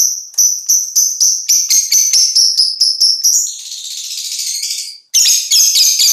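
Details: Five-month-old fighter lovebird producing a rapid, even series of sharp high ticking notes, then a continuous buzzy trilling chatter, a brief break, and renewed loud shrill chirps.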